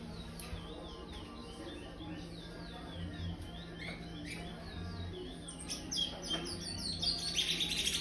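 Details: Young chestnut-bellied seed finch, five months old and brown, in an aviary: praia-style song begins with evenly repeated swooping whistles and builds into dense high twittering in the final seconds, with a faint steady low hum.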